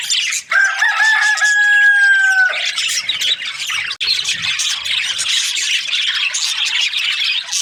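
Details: Budgerigars chirping: a steady, sustained whistled tone with a lower partner tone holds for about two seconds, then gives way to dense, high, scratchy flock chatter.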